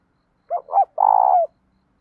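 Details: Single song phrase of a spotted dove, a 'đồng' voice with a hint of 'thổ' for provoking doves: a pair of quick rounded hoots followed by a sustained, rapidly vibrating coo that falls away at the end.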